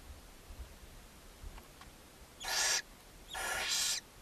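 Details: Barn owls in Ságvár, Hungary, May 4, 2024: mother feeding seven owlets at the nest box. After faint ticks and low bumps, two breathy screeching hisses follow, the second longer at nearly three quarters of a second.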